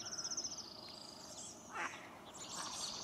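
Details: Orange-crowned Warbler at Beckwith Park, Victoria, British Columbia, giving a fast, high, buzzy trill that slows and drops slightly in pitch toward the end, followed by a brief harsh note and faint background chatter.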